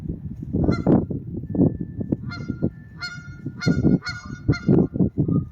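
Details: Geese in a garden honk in loud, nasal bursts, several birds calling in uneven clusters with harsh harmonic blasts over a low background rumble.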